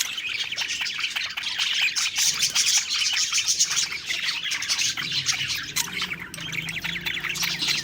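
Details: Contented budgerigars eating and singing together: quick, stuttering chirps and chattering trills, bursts of fast clicks in the first seconds, then continuous high warbling over a faint low drone.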